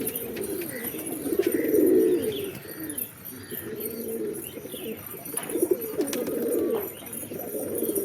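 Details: Pigeons give low burbling coos in swelling phrases, loudest early on, then further bouts after short lulls, with a few faint sharp taps mixed in.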